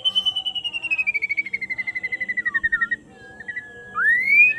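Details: Afternoon song of a white-rumped shama: a long fast-pulsed whistled trill gliding slowly downward for three seconds, a short steady whistle, then a loud rising clear whistle, with a low rhythmic hum behind.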